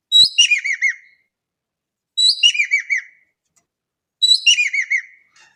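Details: A Javan kingfisher in Indonesia gives three loud rattling calls, each a quick series of harsh downward-bouncing notes about a second long, spaced about two seconds apart with clean silence between.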